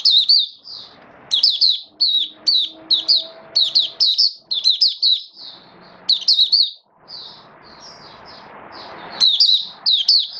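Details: Caged oriental white-eye in build-up form, 19 September 2022, sings a long sequence of rapid, high, slurred chirps in repeated bursts, a short hushed stretch with background noise, then renewed chirping.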